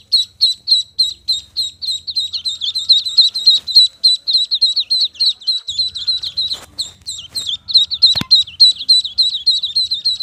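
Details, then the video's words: Duckling peeping rapidly, high clear peeps repeated about three times a second in a steady run, with a few clicks and a faint low hum. "duckling sound | duckling noise | duckling voice"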